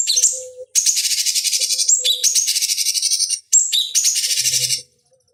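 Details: Cucak cungkok (bulbul) song used to train fighting birds: long, steady, high buzzy trills, with short whistles and downslurred notes between them, fading out near the end.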